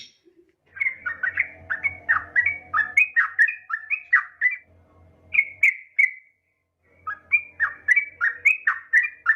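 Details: Female Yellow-vented Bulbul calling a male, in three long phrases of rapid, rich bubbling notes that rise and fall, separated by short pauses, with a low hum underneath.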